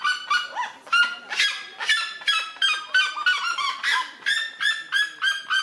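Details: Red-legged seriema giving a territorial call to defend its territory: loud, harsh, harmonic yelps repeated about twice a second, some notes rising then dropping, in an even, barking series with no other clear sounds.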